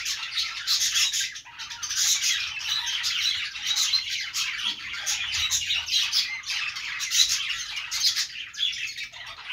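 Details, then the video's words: Many budgerigars chatter at once, their busy warbling twitters and squeaky chirps layered into an unbroken high chorus that swells and dips in loudness. "budgies sounds | parakeet chirping sounds"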